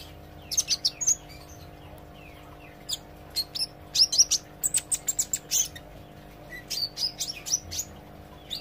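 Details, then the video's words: Olive-backed sunbird learning to sing, gacor and ngobra style: clustered bursts of very high chips and thin slurred whistles, repeated in several lively groups with short gaps, over a faint steady hum. "suara kolibri ijo belajar gacor & ngobra"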